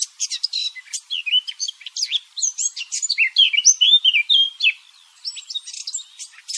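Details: Eurasian blackcap song used as a hunting lure: a fast, loud, varied warble of twittering and fluty whistled phrases tumbling up and down, continuous for about five seconds, then a brief pause and a softer resumption.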